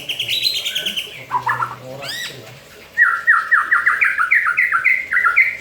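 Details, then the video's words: Caged white-rumped shama singing while bathing in its cage: loud varied phrases, high whistled notes then a fast run of repeated descending slurred whistles about four per second, with faint voices in the background. "MURAI BATU MANDI KERAMBA TETAP BUNYI"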